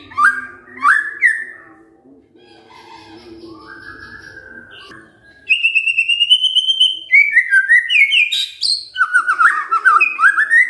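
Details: White-rumped shama kretekan fighter song intended to provoke a response: a few whistled notes and faint warbling at first, then a loud, long rising trill followed by dense runs of fast upward-slurred whistles.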